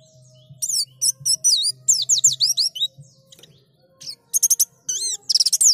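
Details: Lure song of a white-eye, meant to coax other white-eyes into singing: a fast chain of high, looping whistled notes, then a short lull, then renewed quick twittering and sharp rising slurs.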